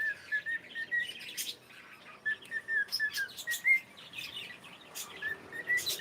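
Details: Pet cockatiel giving a chatter of short, bright whistled chirps, some rising, others falling, in uneven clusters broken by brief quiet gaps and scattered sharp clicks.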